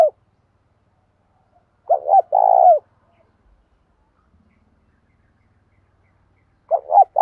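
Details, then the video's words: Decoy spotted dove calling to goad wild doves into fighting, 'thổ pha' voice: one full phrase of two quick rising notes and a long burry coo, then a long silence before the next phrase begins. "Tiếng chim cu gáy mồi thúc đấu, chim cu gáy kích bổi mới hiệu quả, cu mồi giọng thổ pha thúc đấu"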